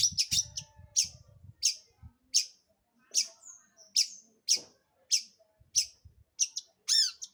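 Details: Long-tailed shrike song meant to provoke other birds into singing: sharp high chips spaced roughly every half second, a brief whistle, ending in a series of ringing downslurred notes; faint low background noise at the start.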